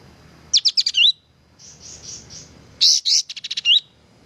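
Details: Active sooty-headed bulbul song: a quick series of high staccato notes ending in a rising whistle, soft breathy murmurs, then a louder run of harsh chips and whistled slurs.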